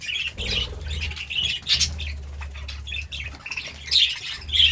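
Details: Budgerigars chirping in the morning with short squawky warbles and whistled notes in uneven bursts, over a steady low hum.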